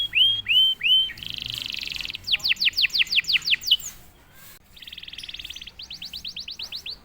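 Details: A canary, singing straight away once prompted, gives three rising whistles, then a dense buzzy roll, a quick series of high falling sweeps, and another buzzy trill leading into rapid sweeping notes.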